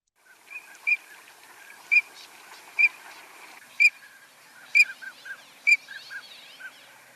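Green-winged Teal giving six sharp, high whistled peeps about once a second, with softer lower notes from other birds in between.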